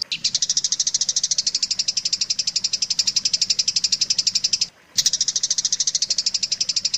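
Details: Shrike tutor recording for teaching song to other long-tailed shrikes: an unbroken, rapid high rattle of about nine notes a second, with one brief pause near the middle.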